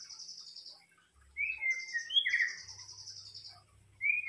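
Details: White-rumped shama singing as a lure: thin high trills and rich whistled slurs rising and falling, with a faint low hum in the background.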